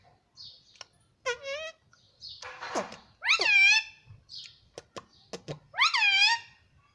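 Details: Talking pet ringneck parrot, said to speak "mummy papa": short harmonic phrases, a breathy noisy burst, then two loud arched syllables separated by clicks and quiet pauses.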